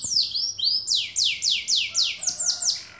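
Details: Caged canary giving a short burst of loud downward-swept whistles, about six in under three seconds, clear and ringing with little background noise.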